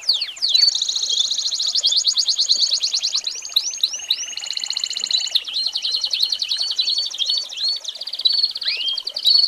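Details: American Singer canary song used as a tutor for young birds, a series of rapid rolling tours switching between high and lower trills, with a few rising whistled slides in between.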